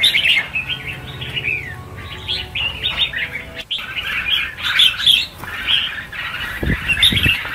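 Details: A crowd of red-whiskered bulbuls, roughly a thousand set free, chirping and whistling in a loud overlapping jumble; one descending slurred note early on, with thumps and wingbeats toward the end.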